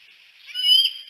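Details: At sunset in Decorah, with three bald eagles perched on the Y branch, a single high whistled note swells and slides slightly upward, then fades over about a second.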